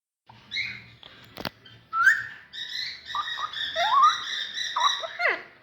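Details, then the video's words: An Alexandrine parakeet talking: a run of harsh, nasal squawks and rising, slurred whistles that sound like mimicked words, with a sharp click early on. "Alexandrine Parrot Talking"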